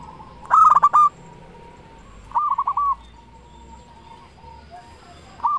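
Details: A loud local zebra dove, played to stimulate other doves to sing, gives short bursts of rapid, rolling cooing notes, separated by pauses of over a second, with a faint steady tone between phrases.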